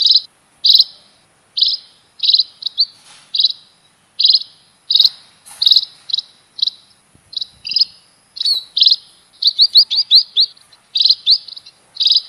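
Munia giving bright, high chirps, single or in quick clusters, about one or two each second, over a faint steady high hiss.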